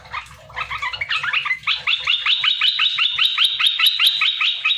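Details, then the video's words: Olive-winged Bulbul (red-eyed form), a wild-caught bird kept caged for three months, sings a lively, bubbling chatter of quick slurred notes, two or three per second, rising into a steady ringing run; used as a lure call that other bulbuls answer. "Merbah belukar gacor,merbah belukar mata merah"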